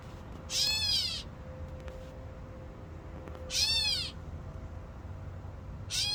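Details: A catbird in fig trees gives nasal, wailing, cat-like calls about half a second long, one roughly every three seconds, over a low background hum.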